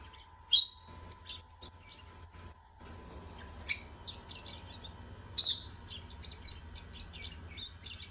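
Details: Lovebirds singing: three loud, shrill, screechy notes spaced a second or two apart, with softer chattering chirps between them and a steady faint hum underneath.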